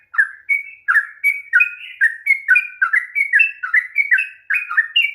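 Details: Sooty-headed bulbul long song meant to spark singing in a lazy bird, loud mellow whistles sliding down then up, repeated quickly in a bouncing rhythm.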